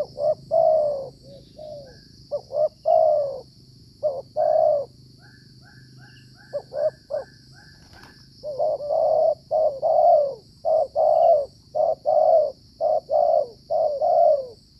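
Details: Wild spotted dove in the rainy season, cooing while being lured with a decoy, a caller in cold weather typically being the local dominant male; repeated mellow hollow coos in short phrases, some faint higher notes midway, steady low hum.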